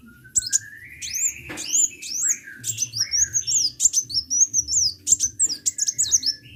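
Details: Lively sunbird song made of quick, very high, upslurred whistles and chips strung together in bursts, with occasional lower swooping notes and a soft background hum.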